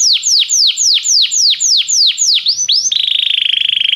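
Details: Belgian canary singing, played to warm up another canary: a series of about nine loud descending whistled sweeps, repeated roughly every quarter second, then a fast even trill held steady for over a second.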